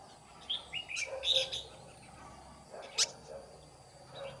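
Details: Decoy red-whiskered bulbul singing 'ché' style at a trap to draw wild rivals: one rapid, jumbled run of high whistled notes, then a sharp click and a faint later note over quiet background hiss.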